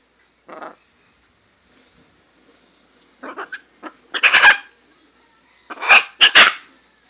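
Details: Two pet macaws indoors, recorded on a phone: harsh, raspy squawks in irregular bursts, a short one early, then louder grouped screeches building toward the end.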